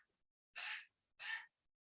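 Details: Adolescent currawong about four months old, one of two young birds, calling while its parents feed it; two harsh, breathy, rasping calls about half a second apart in a quiet background.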